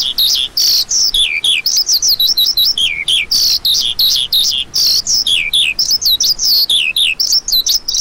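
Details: Continuous lark warbling: a rapid, high-pitched chatter of slurred chirps and short trills, steady in pace and loudness throughout.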